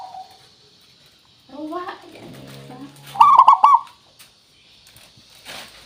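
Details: Zebra dove from local stock, used as a lure to make other birds sing. One loud rolling coo phrase follows a soft coo and a patch of low, muddled background sound.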